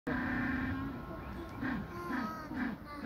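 An African penguin gives a drawn-out, hoarse braying tone, then short honking pulses about every half second. A low rumble of background noise runs underneath.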